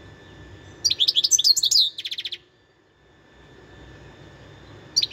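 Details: Wild European goldfinch singing a fast twittering phrase that runs into a buzzy rattle, then a pause and the start of another twittered burst.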